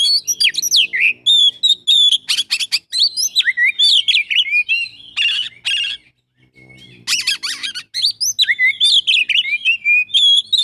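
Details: Oriental magpie-robin singing a full 'isian' song packed with imitated phrases: varied high whistles, rapid chattering bursts and harsh buzzy notes in quick succession, with a brief pause near the middle before the medley resumes.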